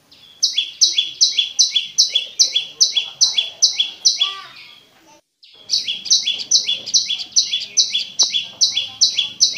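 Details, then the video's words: Clear prinia song for luring a quiet caged bird: rapid alternating high and slightly lower chirps, each falling at its end, broken by a short pause midway before the same pattern resumes. "SUARA BURUNG PRENJAK LUMUT"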